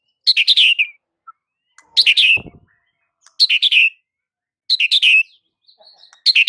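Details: White-rumped shama training recording for silent birds: dry, rasping chatter bursts repeated roughly every 1.2 seconds, five in a row, with one brief low thump between them.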